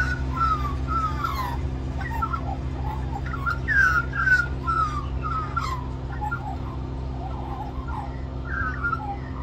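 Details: A young magpie begs for mango with continuous song at Cirillo Reserve, Middleton Grange, New South Wales, Australia. Quick runs of fluty, descending warbles, about two per second, sit over a constant low background drone.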